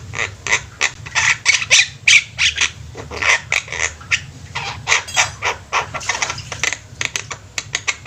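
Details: A flock of Javan mynas calling busily: a steady stream of harsh, grating squawks and chatters, roughly three per second, uneven in rhythm, with many birds overlapping.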